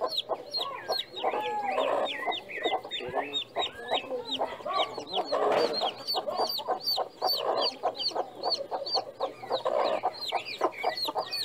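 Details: Farm chickens: a dense chorus of high, downward-slurred peeping notes running continuously, mixed with lower, throaty clucks that swell in bursts every few seconds.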